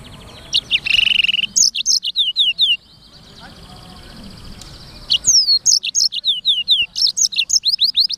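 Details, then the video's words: Energetic 'gacor' song of a Black-throated canary, offered as clear song material: bright chirps and a buzzy note, a pause with soft background noise, then rapid repeated upslurred whistles and chips. "BURUNG FINCH EDEL SANGER / BLACKTHROAT Suara Gacor"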